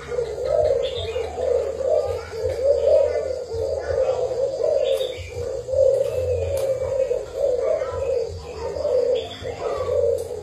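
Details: Decoy spotted dove from Thailand cooing continuously for ten seconds in pulsing, low, throaty notes, with faint clicks and a steady low hum behind.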